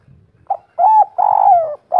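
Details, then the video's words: Spotted dove, local 'kuk 3' singer: a short coo followed by two long, warm, throaty coos that slide gently downward, ending on another brief note, with faint low rumble beneath. "Derkuku kuk 3 lokal gacor ngamuk bikin ribut suara empuk langka"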